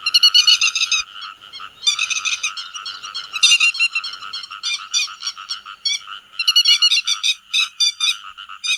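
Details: Grey-headed lapwing gathering its flock: repeated loud bursts of sharp, ringing notes separated by softer chatter, growing more clipped and staccato toward the end.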